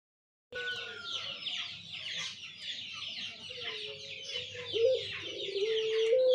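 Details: Barbary dove, recorded 17/11/21, gives a low, drawn-out coo that rises and holds at the end, half-buried under dense chattering birds and background noise.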